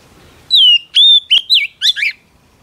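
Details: Female Oriental magpie-robin, singing to arouse males, gives a run of pure downslurred whistles, a sharp click, then two harsh buzzy notes.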